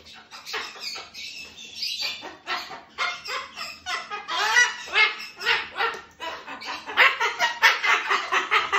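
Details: Pair of pet cockatoos duetting before bed, a continuous stream of harsh, grating squawks at roughly two per second, rising and falling in loudness with short gaps between overlapping bursts.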